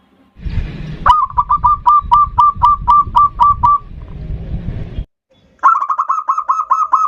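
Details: A local zebra dove sings its 'ndudut' variation song, a lure to draw out a rival. Rapid hollow coos ring over heavy low rumbling noise, then after a short silence comes another quick run of coos.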